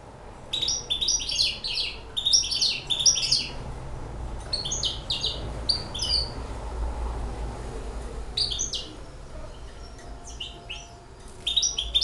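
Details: A six-month-old hybrid finch delivers clustered bursts of high, jingling twittered notes. The phrases are broken by pauses of a second or more over a steady low room hum.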